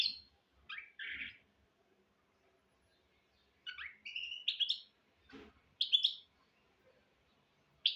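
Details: Hybrid goldfinch × canary mule singing as a model for young goldfinches and canaries: short scattered bursts of twittering and buzzy notes with long silent gaps between, plus faint low clicks.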